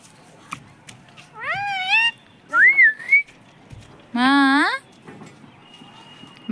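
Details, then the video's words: Pet parrot taught to say mummy and papa. Rising nasal voice-like syllables alternate with a clear wavering whistle, each about half a second long, separated by quiet pauses. "mummy papa bolne wala tota"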